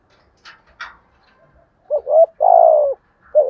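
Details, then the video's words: Spotted dove cooing in the 'giọng thổ' voice style, used to lure wild doves: after two faint scratchy sounds, a short two-part low coo, then a long, steady, slightly wavering coo, and another coo beginning at the end. "cu gáy giọng thổ tiếng gáy hạp bổi nhất hiện nay"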